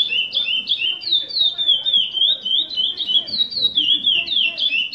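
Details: Captive curió, a former breeding bird, singing in the Selo Prata FH 30 anos style: fast, high whistled phrases with sliding, down-slurred notes repeated rapidly in a steady stream, over faint low background murmur.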